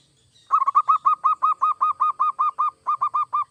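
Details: Zebra dove, local or Bangkok type, in full vigorous song used to get other doves singing: a long unbroken run of about seventeen mellow, clipped cooing notes at a steady mid pitch, each with a slight stutter, in a quiet setting.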